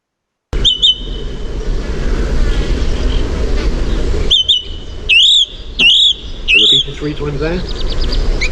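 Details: Song Thrush singing loud, whistled phrases over steady background hum. Each verse is sharp and ringing, and the same rising-falling phrase is given about three times in a row with short gaps between repeats.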